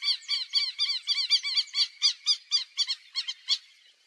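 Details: In the Pantanal, a wild black-bellied whistling duck utters rapid paired squeaky whistles that slur downward, about four a second, then spaced out and fading away near the end of the sequence.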